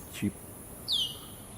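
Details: A possible pink-necked green pigeon high on a treetop at about 7:30 a.m. on Tuesday, 20 May 2019, gives a single brief, high whistled chip that slides slightly downward, following a soft low thump or voice fragment.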